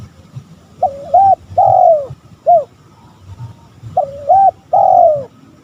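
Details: Spotted dove call repeated twice to draw in rival males: a double-humped coo, a long drooping coo and a short clipped note, with faint low background hum.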